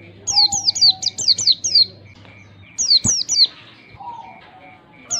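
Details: Long standard ngalas song of an Oriental white-eye, used to teach the style: a fast series of about seven high, slurred-down chirps, a short pause, three louder chirps, then a brief lower whistle, with background beeping and hum.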